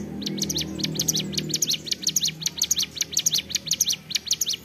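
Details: A ciblek gunung, a prinia, keeps up ceplekan song: a continuous, rhythmic run of high, dry chip notes, about four to five per second, over a low background hum.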